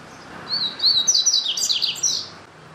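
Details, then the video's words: Double-collared seedeater singing a high, rapid phrase of whistled slurs running into a jumbled trilled ending, lasting around one and a half seconds, with faint background hiss. "CANTO DO PAPA CAPIM"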